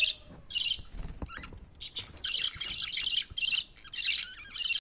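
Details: Budgie chick reaching its father for food, calling in irregular harsh buzzy squawks that run together in places, over light clicks and rustling.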